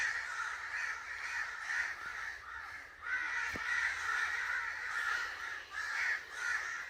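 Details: Agitated crow giving rough, drawn-out caws, a long rasping run followed by a short pause, then more harsh caws that rise and fall in strength.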